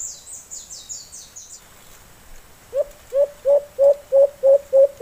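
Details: High, thin chirps from another bird open the recording, then a wild white-eared brown dove responding to a decoy starts a regular series of about eight low, hollow coos.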